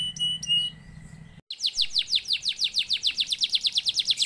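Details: Canary in vigorous song, used to provoke other canaries into singing: a few clear whistled notes over a low hum, a brief break, then a fast rolling trill of high descending sweeps repeated several times per second.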